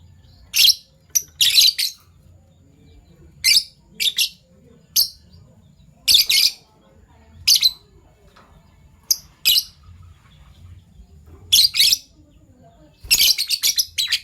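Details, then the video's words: Morning calls of two Fischer's lovebirds, violet and gold opaline: shrill, scratchy chirps in pairs and short clusters every second or so, ending with a rapid chattering run, with faint low hum behind. "Lovebird Chirping Sounds"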